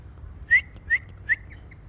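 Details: Ringneck parrot, described as talking, giving three short, clear whistled notes at an even pace, each with a quick upward flick, over a low background hum.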